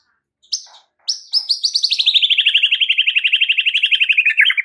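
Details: White-rumped shama master song to rouse silent caged birds: two sharp opening notes, then a long fast rattling trill of about thirty notes that slowly falls in pitch.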